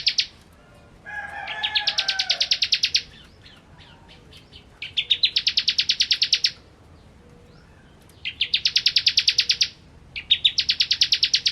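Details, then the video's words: Kristal-style song of a bar-winged prinia (ciblek): strings of quick, bright, high ticking notes that run for one to two seconds, repeated four times, with a brief low warble near the start. "Ciblek Kristal Gacor"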